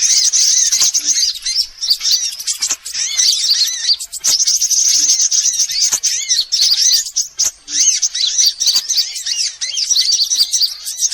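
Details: Sunbirds of every kind in a luring call to draw birds near: long stretches of steady shrill twittering and overlapping high chirps, with repeated arched notes and brief silent breaks.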